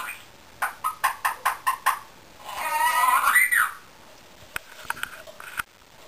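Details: Indian ringneck parakeet, a pet, whistling indoors: seven quick evenly spaced clicks, then a wavering, rising and falling whistle lasting about a second, followed by scattered taps and a steady high electrical hum.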